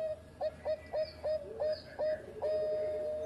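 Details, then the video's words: Bangkok perkutut zebra dove used for training other doves, heard at a distance: short, evenly spaced soft coos about every quarter second, ending in a longer held note, over steady background hiss. "Raja Suara Mas Juara Idaman Perkutut Bangkok Gacor Buat Masteran"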